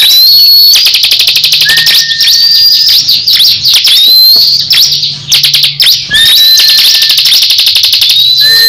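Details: Caged crescent-chested babbler (ciblek kristal) in a fierce duel with another bird: dense rapid ticking trills at about four per second, high thin whistles, and a flat lower whistle, both birds singing loudly together.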